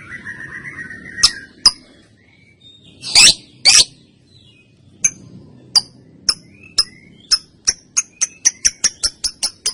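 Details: Young female lovebird used as a tutor for training birds: a few scattered squeaks and two loud rasping bursts, then a run of sharp ticking chirps that accelerate steadily into a fast series.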